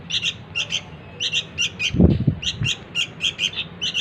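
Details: Sooty-headed bulbul nestling calling to lure the adults: sharp, buzzy chirps in pairs at a steady rhythm, interrupted near the middle by a dull thump, then resuming.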